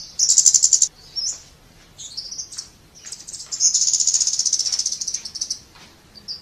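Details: Scarlet-backed flowerpecker giving very high, thin, rapid trills in bursts, with short sharp chips between them and a long fast trill in the middle.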